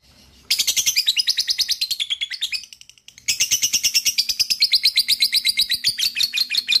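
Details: Lovebird giving a long rattling trill of rapid harsh high pulses, broken by a short gap near three seconds then resumed steadily; played to trigger other lovebirds into trilling.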